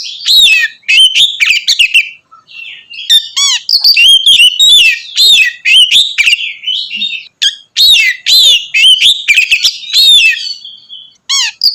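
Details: Oriental magpie-robin in loud 'ngeplong' open singing, used as a lure to provoke other magpie-robins. High, rich, varied whistles and sharp chirps come in rapid continuous phrases with short breaks, with no other sounds.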